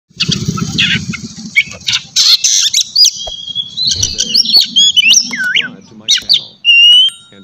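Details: Oriental magpie-robin (kacer) song used as a morning lure to stir a kept bird into full singing: loud high whistled phrases, sharp rising and falling notes and quick chips, over a low murmuring hum at the start.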